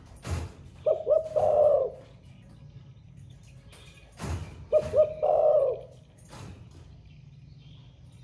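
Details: Caged spotted dove singing all day in the thổ pha voice style. Two deep phrases about four seconds apart, each with two short hoots and a longer burring coo. Clicks and knocks are heard around them.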